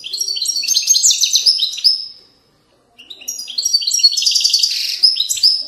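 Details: European goldfinch singing authentic Widani-style song from the banks of Moroccan valleys: two dense, rapid phrases of bright, liquid twitters, trills and buzzy notes, separated by about a second of silence.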